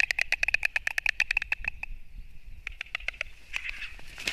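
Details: White storks in a fight, Latvia, 29 March 2024, from a live nest stream: quick dry clattering burst, a pause with faint background hiss, then scattered renewed knocks.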